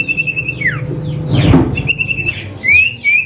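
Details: Male Common Iora in 'manggil nama' calling: a held, level whistle that swoops down, a soft noisy burst, then a second level whistle and a rising slurred note, over faint low hum.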